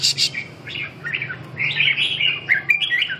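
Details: Red-whiskered bulbul singing in a singing competition in Vietnam, a busy run of bright chirpy whistled phrases rising and falling, with a low steady hum beneath.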